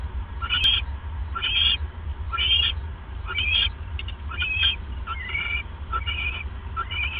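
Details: Owl pair late at night on 28 January 2015, with the male bringing his mate a mouse. Bright, twittering, upward-sweeping calls repeat roughly every second over constant low-pitched background hum.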